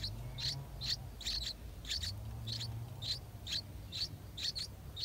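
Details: Nestling yellow-vented bulbuls, eight days old, calling in the nest as parents feed them; short high squeaky chirps in a steady run of about two per second, with a low rumble behind.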